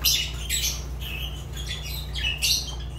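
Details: Fischer's lovebird kept as a pet, giving harsh, buzzy squawks in four or five short bursts over about three seconds, accompanied by a low continuous hum.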